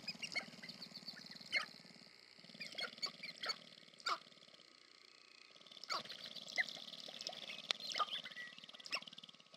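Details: Sharp-tailed grouse displaying for courtship at American Prairie Reserve, Montana, USA: sharp clicking cackles rise above a steady low pulsing rattle that pauses and resumes, with dense high chatter throughout.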